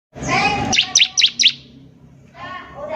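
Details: Bar-winged prinia song used as tutoring material for young birds learning to sing: four sharp, high chirped notes in quick succession, set between stretches of human voices talking before and after.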